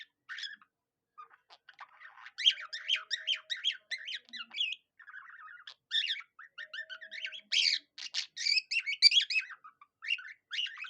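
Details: Budgie singing like a cockatiel: long, continuous chattering warble of quick whistled chirps and buzzy squeaks, pausing briefly, then resuming louder, with a faint steady tone in the background.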